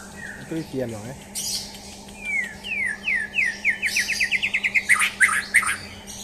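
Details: White-rumped shama, a champion bird being mentally tested, sings a fast descending series of about fifteen clipped whistled notes after a few low rattling sounds, then bright scratchy phrases.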